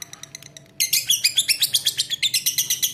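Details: Lovebird bursting into a loud chattering song after soft ticking, with rapid harsh high chirps pulsing about five times a second.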